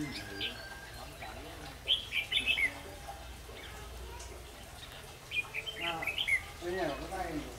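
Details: Red-whiskered bulbul decoy song used in a trap to provoke rival males into coming to fight: two short bursts of bright, warbled, chirpy phrases a few seconds apart, over a low background hum with faint lower sounds near the end.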